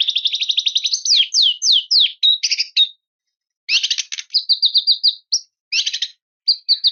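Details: White-rumped shama singing a full song meant to call out and provoke a rival. A rapid trill of repeated high notes opens, then downslurred whistles and buzzy bursts, with short pauses between varied phrases.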